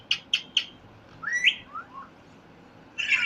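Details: Parrot giving three sharp quick chirps, then a rising whistled squeak and soft falling notes, ending with a harsh buzzy chirp.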